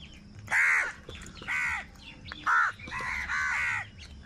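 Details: Angry crows squabbling over food give loud, rasping caws, five or six harsh calls spaced roughly half a second to a second apart, a couple stretched into longer grating notes, with faint low background rumble.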